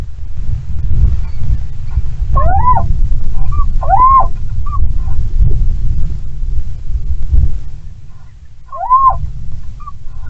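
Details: Little owl in the Bommelerwaard, 16 February 2022, at a mating on a branch sheltered from strong wind, gives three loud, rising, mewing calls, two close together and one after a pause, over a steady low rumble of wind.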